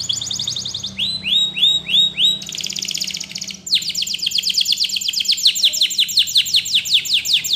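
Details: Belgian canary rambling song meant for training canaries. Fast repeated high notes, then slower arched whistled syllables, a dense buzzing roll and a long run of rapid descending chips repeated nearly three per second, continuous and loud.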